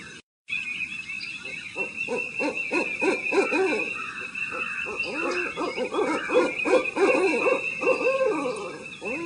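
An owl gives rapid, overlapping hoots and wavering notes, about three a second, over a steady high insect-like hum.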